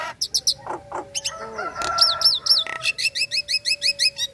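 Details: Female Nias hill myna in breeding condition, calling the male in ngekek style: loud chattering notes, a long steady whistle with harsh bursts, then a quick evenly spaced series of sharp falling chirps.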